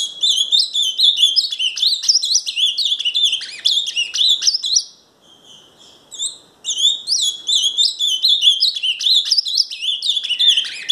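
Ultramarine grosbeak singing a rapid, high, sweet warble of quick varied notes, with one brief pause before the song resumes.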